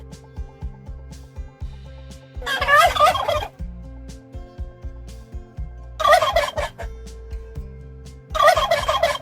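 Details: Three turkey gobbles, rapid rattling bursts about a second long, spaced a few seconds apart, set against continuous soft background music.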